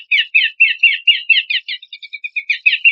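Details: Horsfield's babbler song for training contest songbirds: loud rough chattering phrases repeated about three times a second, then a run of clear, steady, evenly spaced notes, and rough phrases again.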